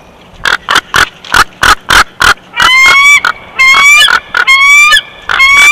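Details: At a Big Bear eagle nest, filmed 12 June 2021, a bald eagle chortles loudly. Eight clipped squeaks come in steady succession, then drawn-out, rising, strongly overtoned whistles mixed with further pulses.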